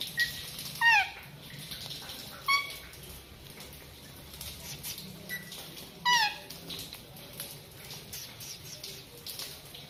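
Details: A green pet parrot gives short, squeaky whistled calls that sweep sharply up or down. They come in three separate bursts over ten seconds against a steady background hiss.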